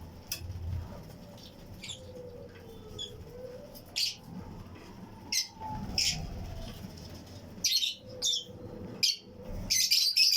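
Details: Fischer's and Lutino lovebirds kept in pairs in a flight colony aviary breeding setup, giving scattered sharp, shrill chirps, sparse at first and more frequent toward the end, over a low, steady background hum.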